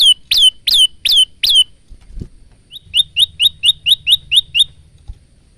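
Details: ['Male Bar-winged prinia showing song variation: five loud falling notes, a short pause with a thump, then a faster series of nine shorter, clipped notes. Recorded with a simple phone.']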